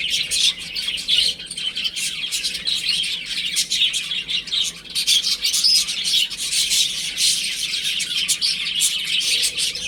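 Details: Home-kept baby chickens at play, producing a continuous wall of shrill, repeated cheeps from several birds at once throughout.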